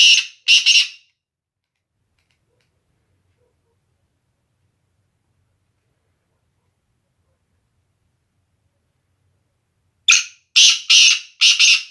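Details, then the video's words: Male black francolin (kala teetar) of the Sindhi nasal style, a training call: two brief bursts of harsh, rasping notes, a short pair then a faster run of four, separated by about nine seconds of silence. "Sindhi nasal kala teetar"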